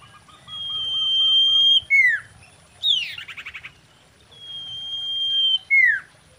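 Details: Female common iora singing a mating song used as a lure to draw wild birds: two long, level, high whistles, each ending in a quick falling slur, with a short buzzy trill between them.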